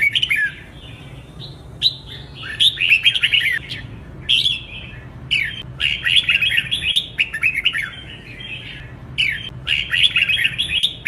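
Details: Contest-style 'hót đấu' singing of a red-whiskered bulbul, meant to train birds for singing competitions: repeated bursts of rich, chattering, whistled notes, each phrase lasting about a second, separated by short gaps; steady low hum underneath.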